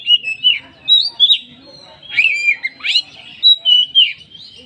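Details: Oriental magpie-robin song used as a lure to set other magpie-robins singing: varied whistled phrases around the upper-middle range, with sliding notes and short trills in bursts separated by brief pauses.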